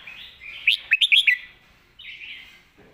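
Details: A single Red-whiskered bulbul phrase in the "sumnuan thong" master-song style: a cluster of five quick, loud whistled notes, followed after a pause by a softer slurred trill.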